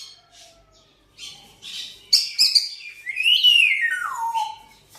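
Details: Whistling African grey parrot kept as a pet and said to try to talk: soft chirps lead into a bright whistle that rises, then glides smoothly downward into a long falling tone, all indoors.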